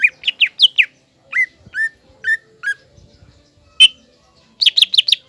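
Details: Green leafbird in energetic song, meant to stir a juvenile spotted leafbird into aggression: clear whistled notes that rise and fall in small clusters, a lone sharp note, then a fast run of ringing phrases.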